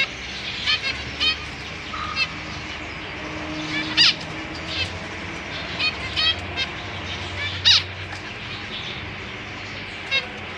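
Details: Captive zebra finches in a large cage, parents with three juveniles and three newly fledged young; short nasal harmonic calls scattered irregularly, some louder honks, over steady low background hum.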